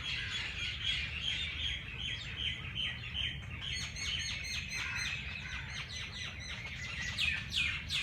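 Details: Morning birdsong at Lahore's Race Course park: a steady stream of quick, high chirps and downward-slurred notes from several birds, becoming louder and more varied in the second half, with a faint low rumble underneath.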